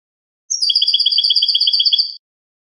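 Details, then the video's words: Clean-song goldfinch (jilguero, cante limpio) used to tutor captive birds: a short high opening note, then a bright, rapidly pulsed two-tone trill running steadily for under two seconds in silence. "CD jilguero cante limpio educar"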